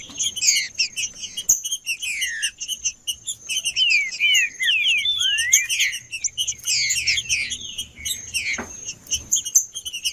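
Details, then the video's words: Male green-winged saltator singing in the 'macheando' style to warm up other birds: sharp descending whistled slurs mixed with a dense stream of high chips and twitters, with a steady thin high tone running throughout. "Trinca-ferro Macheando 🔥 Trinca ferro cantando Para Esquentar Trinca ferro"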